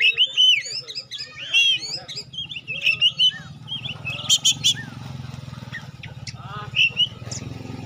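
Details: Oriental magpie-robin, called kacer pastol, singing as a lure to test and provoke other magpie-robins: rich whistled phrases, upslurs and sharp chirps around high pitch in bursts, over a steady low hum throughout.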